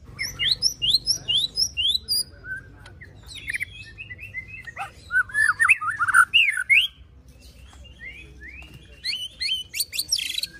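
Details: Varied bird song of a white-rumped shama played to provoke a caged shama into singing: bursts of sharp high chirps and rapid trills, then a loud cluster of slurred whistles, with quieter gaps between bursts.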